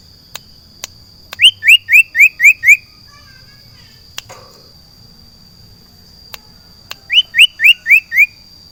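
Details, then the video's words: In a garden, a caged sirtu sings two bursts of five or six quick upward-sweeping whistles, separated by a pause with a few soft clicks. A steady high background tone continues throughout. "JEMUR SIRTU DI KEBON / MEMBUAT SUASANA BURUNG SIRPU DI ALAM BEBAS"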